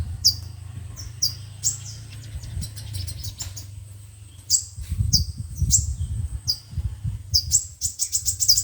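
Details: Five-colored and seven-colored sunbirds, a trapping lure recording: rapid high ticking chirps and short downslurred notes, set against heavy low rumbling noise that swells midway.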